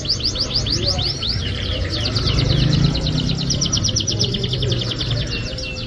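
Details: Canary song used to coax a lazy canary into singing: a dense, rapid trill of high, sharp notes rolling almost continuously, over a steady low rumble of background noise.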